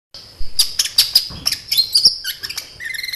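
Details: Sunbird (kolibri ninja), used as a lure sound to set other sunbirds singing. Sharp, high chirps and quick ticking notes come in dense bursts, with a few lower buzzy notes near the end.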